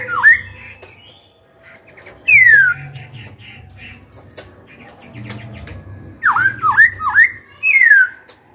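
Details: Caged young Black-throated laughingthrush singing to stir rival birds to fight and coach young birds. A rich whistle opens the song, then a long descending slur. A quick run of three hooked notes follows, then a final falling whistle, over a low hum.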